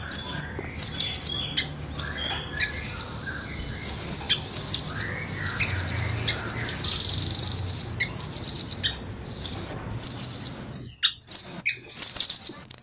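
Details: Rambatan, or velvet-fronted nuthatch, kept in a cage and singing energetically: shrill, rapid rattling trills in repeated bursts, a long sustained rolling passage midway, closing with sharp staccato notes.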